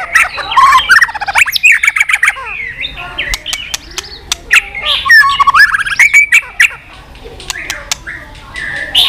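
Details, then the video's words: White-rumped shama in varied, continuous tạch song: dense warbled whistles, sharp clicks and snapping notes over nine seconds, with short pauses between phrases. "Chòe lửa tạch liên tục"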